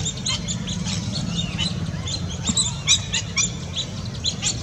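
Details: Lesser whistling ducks giving a rapid series of high, thin, whistled chirps, many notes overlapping as from several birds, over a steady low rumbling background.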